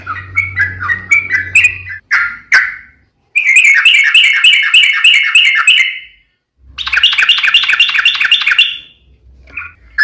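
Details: Yellow-vented bulbul in lively long rapid-fire song, a lure to prompt other bulbuls to answer; short warbled notes and sharp clicks, then two long loud stretches of rapid bubbling chatter separated by a brief silence.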